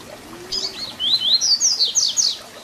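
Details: Papa-capim (double-collared seedeater) 'Tui Tui Zel Zel' fibra song for teaching young birds: a short sequence of clear rising whistles stepping upward, then quick high downstrokes.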